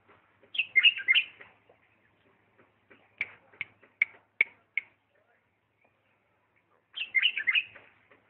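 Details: Diyala bulbul in 'lisanat' song style: a warbled phrase, then a series of sharp separate chip notes, then another tumbling warbled phrase.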